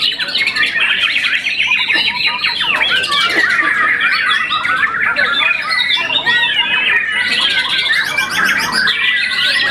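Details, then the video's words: Captive young White-rumped shama, a contest winner that has moulted once, gives a long, loud, varied song of rapid churring runs, bright whistles and high piercing trills late in the phrase. "murai batu muda mabung satu kali"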